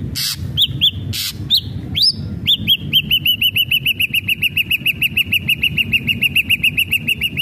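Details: Ashy drongo lure song to set a captive bird singing: a few whistled upslurs and clicks, then a long rapid run of identical short arched notes, more than two per second, over faint low noise.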